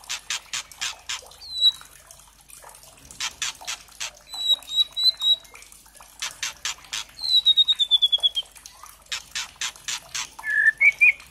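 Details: White-rumped shama (murai trotol) lure song to provoke singing, dominated by dry crackling clicks in bursts, with thin high whistles, a fast descending trill of high notes and a short warbled ending.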